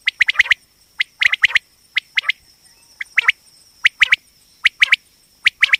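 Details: Calling female common quail, the batair used in quail hunting; quick clipped notes grouped in threes and twos, repeated roughly every second, against a faint continuous high-pitched hum.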